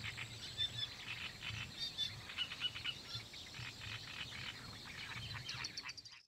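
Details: Spanish sparrows (Passer h. hispaniolensis) at Lake Kerkini National Park, Greece, in April 2024 chirp busily, with dense overlapping chatter of bright, short notes from several birds and a faint low hum behind.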